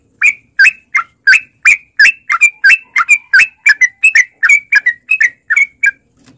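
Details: Chattering song of a sooty-headed bulbul, used as a lure so that caged bulbuls answer and sing. Crisp, bubbly notes are repeated briskly and almost without pause, some doubled, for the full six seconds.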